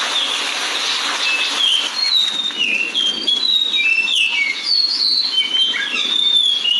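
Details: Superb lyrebird, a ground-dwelling bird, in Australia sings a loud, varied stream of clear whistles and slurred notes, shifting pitch every second or so, over a steady background hiss.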